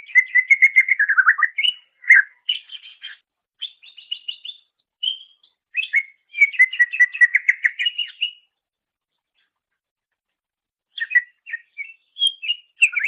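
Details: Greater green leafbird song used as a master recording for training songbirds: a fast, varied chatter of bright whistled and chirping notes, rising and falling phrases, a pause, then renewed warbling; clean with no other sounds.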